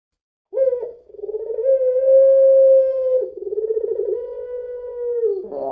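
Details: Puter pelung, a long-voiced Barbary dove, used as a lure recording: one drawn-out, steady coo near mid pitch that wavers and pulses toward its end, then a brief rough note; quiet background.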